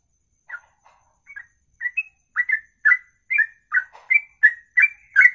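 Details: Bird opening a ropelan, the long one-breath song: a few hesitant, spaced notes first, then speeding into a steady string of slurred whistled chips, about three per second, with bright clicking overtones, clean background.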